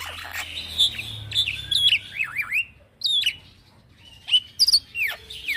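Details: Continuous song of a young male black-winged myna, ngeroll style: loud rising and falling whistles, zigzag slurred notes and piercing high chips, with a brief quiet gap before more sharp whistles.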